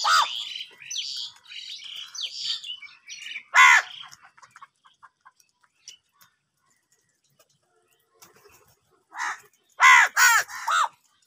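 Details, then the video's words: Crows fighting for food give harsh, hoarse caws: busy squabbling calls, then a loud single caw near four seconds and a burst of three near ten seconds. "কাকের ডাক Crow sound loudly | clear crystal crow bird crowing sounds | angry kauwa ki awaaz"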